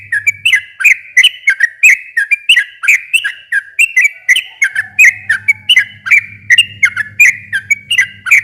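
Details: Sooty-headed bulbul in a long, fast 'ropel' song as a lure for a bird that has stopped singing. Chattering whistled notes tumble on without a break, up and down in pitch, with a low hum returning halfway through.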